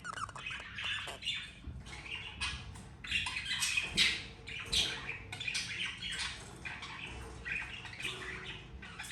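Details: Budgie parents with their two babies; steady scratchy chatter of short squawks and chirps, roughly eighty notes a minute, uneven in rhythm, layered over soft background hum.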